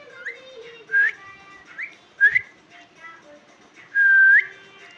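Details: Pet talking parakeet indoors, with a TV on and hot weather remarked, giving four clear whistled notes, each rising sharply at the end, the last longest and steadiest; a person's voice murmurs faintly.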